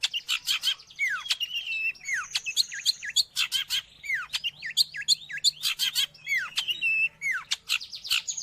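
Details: Song of a long-tailed shrike, used for training pet birds or luring wild birds: dense mix of sharp clicks, down-slurred whistles and a long flat tone, varied and continuous, fast and scratchy.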